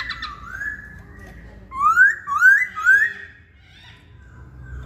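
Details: Singing hwamei gives a soft slurred whistle, then three loud clear rising whistles in quick succession, each about half a second long, before settling back to quiet background.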